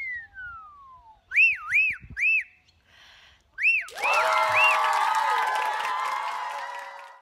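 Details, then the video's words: Male Indian ringneck parakeet, a pet, imitates an ambulance siren it learned after about ten days of being whistled to: wailing whistles that swoop up and down in quick cycles, followed by a long stretch of loud broad noise. "Indian Ringneck impersonating ambulance siren"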